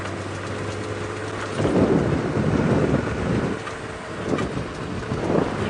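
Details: A vehicle's engine rumbles and surges during an early morning drive, with no animal calls.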